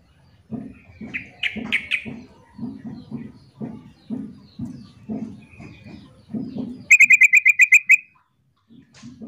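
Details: Sooty-headed bulbul female calling the male in a call-and-answer exchange: a few scattered higher notes over repeated low thumping sounds, then a loud quick run of about eight clipped notes near the end.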